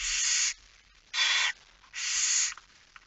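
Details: Barn owl at the nest during feeding late on 10 September 2019 (22:45): three harsh hissing screeches, each about half a second, following one another roughly once a second.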